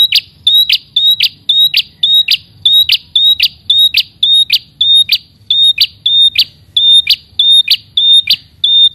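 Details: Prenjak kepala merah, the red-headed prinia, in persistent calling aimed at a rival. Bright high whistled notes, each tipped with a rasping click, repeat steadily almost twice a second throughout.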